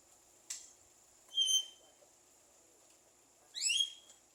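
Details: Talking Javan myna (jalak kebo) mimicking speech and coughing: a sharp click, then a clear whistled note, and later a buzzy, upward-sweeping whistle, separated by quiet pauses.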